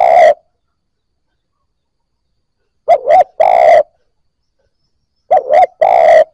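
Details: Loud, clean spotted dove cooing meant to get freshly caught birds calling: two clipped coos and a longer burred note, the three-part phrase repeated after pauses of about two seconds.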